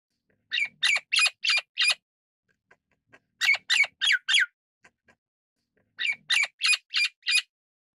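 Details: Golden-crested myna, Ampeliceps coronatus, giving harsh squawking notes in rapid bursts of four or five, each burst about a second long and separated by pauses of a couple of seconds; no other clear sounds.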